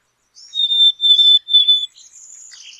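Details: Black-capped chickadee's pure, high whistled phrase of three level notes, slightly falling, followed by a short buzzy trill.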